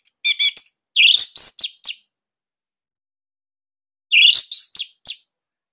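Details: Orange-headed thrush from Bali, singing loud, tight master song for training captive birds: sharp, very high, clipped notes in quick series, then a long pause and a repeated upward-swept phrase with crisp trailing notes.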